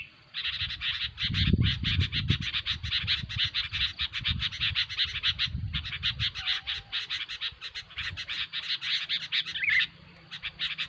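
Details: Noisy Sooty-headed Bulbul sound for luring bulbuls in trapping: dense, rapid buzzy chattering pulses about ten per second without pause, with a faint rising note near the end and low rumbling background noise at the start.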